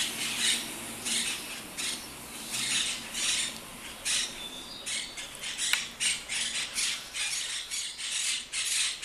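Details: Monk parakeets in Rome, Italy, give harsh, grating squawks in quick bursts, roughly two every second, overlapping as several birds call at once.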